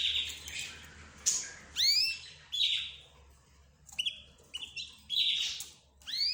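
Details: A mixed group of pet birds, including budgerigars, zebra finches and canaries, calls back and forth. Buzzy high notes alternate with hooked, upward-sweeping chirps in bursts about a second apart.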